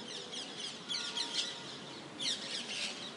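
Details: Parakeets in Rome give harsh, grating screeches in two short bursts over a steady high hiss of distant birds and background noise.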